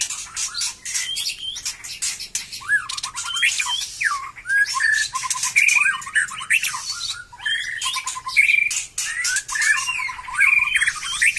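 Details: White-rumped shama singing again after its moult; varied song mixing slurred whistles, trills and sharp harsh notes, with short pure whistled notes recurring several times.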